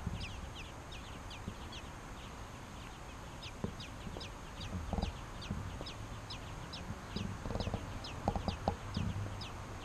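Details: Nestling American robins being fed by their parents give repeated sharp, high, falling peeps at a quick, fairly even pace; rustling and thumping grow louder toward the end.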